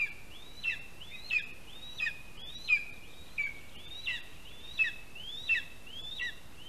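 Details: Lesser spotted eagle chick being fed by its father at its spruce nest in Latvia, morning of 12 July 2021; nine piercing whistled notes, each climbing then flattening, repeated every 0.7 seconds with faint hiss.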